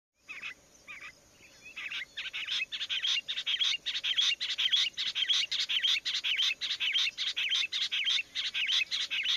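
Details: Rock bush quail; meeting call; bringing the covey together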